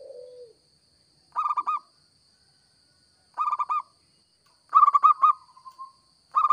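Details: Local zebra dove, recording suited to luring: clear phrases of four or five rapid, rolling cooing notes repeated roughly every one to two seconds, one ending in a drawn-out trailing note; a faint steady high whine behind.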